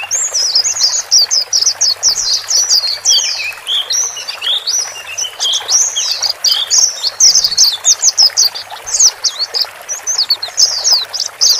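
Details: A flock of male and female white-eyes, recorded to help a new cage bird adapt quickly: steady, high, thin chirping with rapid trills and squeaky slurs, many birds overlapping, with brief low thumps in the background.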